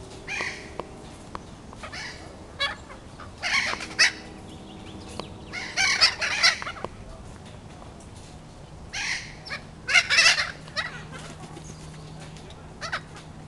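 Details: Captive breeding flock of endangered thick-billed parrots at a bird sanctuary in St. Louis, Missouri, giving harsh, raspy squawks in loud bursts every few seconds, with quieter chatter between and a faint low hum near the end.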